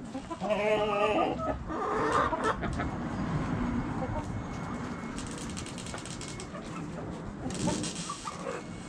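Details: Backyard chickens making a burst of loud harmonic clucks and cackles at the start, then fading into quieter murmurs over a constant background hum.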